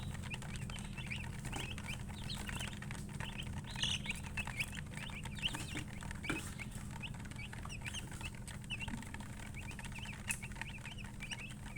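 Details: Colored chickens, called murgi, chirping: many short high peeps overlap in quick succession, partly masked by a steady low hum and background rumble.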